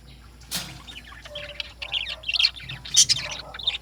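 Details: Lovebirds chattering in the morning, with quick, irregular high-pitched squeaks and twitters that grow louder toward the end, along with a soft rustle or flutter.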